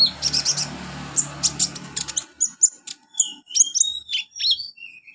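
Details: Olive-backed sunbird training song for young birds: rapid high chips at first, then clear thin whistled notes and short slurred trills, repeated with brief gaps.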